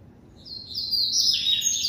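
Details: Short, loud burst of the classic coleiro song from a captive double-collared seedeater: a high, thin buzzy trill that swells and drops slightly in pitch, very rapid and continuous.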